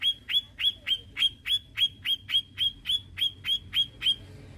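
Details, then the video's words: Grey-cheeked bulbul, a tutor bird used to stimulate other songbirds, giving a steady series of about thirteen harsh, buzzy chattering notes. Each note ends in a bright tone, and they repeat roughly three to four times per second before stopping. "PANCINGAN HEBAT BURUNG MASTERAN CUCAKJENGGOT"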